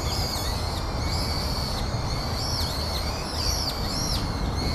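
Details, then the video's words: Brown-eared bulbuls at Yatsu tidal flat on 6 January 2013: several high, arching whistled notes that rise then drop, scattered through the clip over steady loud low rumbling background noise. "ヒヨドリ＠谷津干潟 2013/1/6"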